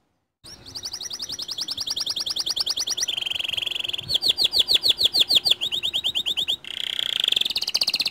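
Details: White canary lure song for prompting other canaries: long sequences of fast, even high trills, switching between rolling tours of different pitch, one with loud descending sweeps, without pause.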